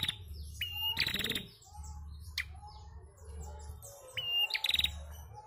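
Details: A female bar-winged prinia calls, used to stimulate young prinias to sound: high, thin notes and a quick metallic chattering burst, repeated about three seconds apart over a low pulsing hum.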